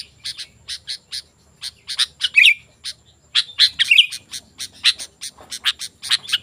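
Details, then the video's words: Sooty-headed bulbul singing to attract wild bulbuls: spaced crisp chirps building into tight twittering clusters, with two warbled flourishes and a short silent pause midway. "Suara Burung Kutilang Gacor"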